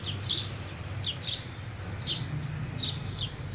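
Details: House sparrow chirps, high and clipped, coming in irregular pairs and singles over a low background murmur.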